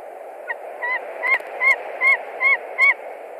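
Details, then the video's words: A white-tailed eagle at its nest in Latvia, 20 March 2021, screams as a likely young stranger eagle visits: seven bright yelps about every 0.4 seconds, louder in the middle, with constant background hiss. "White-tailed Eagles-Haliaeetus albicilla-Latvia nest 2021 03 20 16:08 stranger visit"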